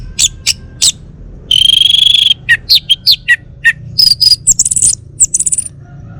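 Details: Caged male orange-headed thrush of the Bali form, kept at home in North Bali, delivers a rapid run of sharp chirps, one long sustained whistle, and buzzy, trilled phrases packed closely together.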